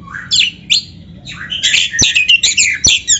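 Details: Oriental magpie-robin singing as a training song to excite a caged bird, with upward-sweeping whistles early on, then dense harsh chattering phrases broken by two sharp clicks.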